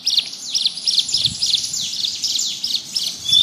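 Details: Bar-winged prinia (ciblek gunung) singing lively in the ngebrem style, offered as a tutor recording for other birds; a steady run of high, sharp, down-slurred chirps, about three per second, over a faint low background rumble.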